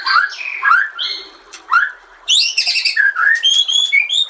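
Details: Master song of a white-rumped shama used to train other birds, recorded with nature sounds and trickling water; sweet rising whistles and level tones, a short pause, then a dense buzzy flourish and bright ringing notes.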